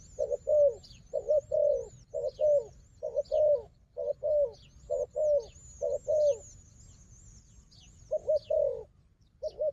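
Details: A wild dove that fights hard, with a strong decoy dove. A run of low paired coos, each a short note and a falling longer note, stops for a pause and then resumes. High twittering sounds throughout.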